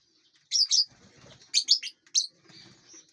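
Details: Lovebirds feeding and flying in a large aviary; sharp high chirps in short bursts around 0.5, 1.6 and 2.2 seconds, with faint wing flutter and rustling between them.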